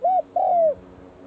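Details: Close spotted dove practising at the start of the cold season: a short coo, then a longer, smooth coo that eases downward, loud and clear.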